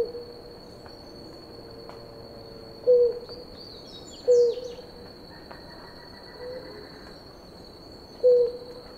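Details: A pair of blue ground doves at water, drinking: spaced single low hoots, roughly one every few seconds, against a constant shrill insect tone and faint other calls.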